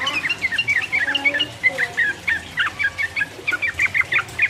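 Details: Sooty-headed bulbul in rapid 'ropel uplik uplik' song, used as a lure to provoke rivals. Snappy whistled notes come in steady bursts, some paired, over a soft low murmur.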